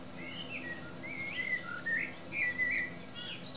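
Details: Common blackbird singing in the woods: soft warbled phrases of mellow sliding whistles, several short notes in quick succession, over steady low background noise.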